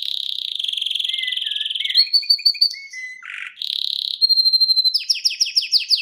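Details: Male canary singing live indoors: a fast rolling trill, quick chirped notes, a buzzy burst, a steady held whistle, then a rapid series of descending chips.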